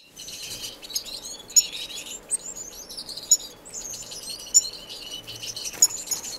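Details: Finches in an indoor, non-breeding community aviary in Edmonton, Canada, filmed in March: several high, thin chirps and short buzzy warbled phrases overlap, with sharp tweets standing out about every second.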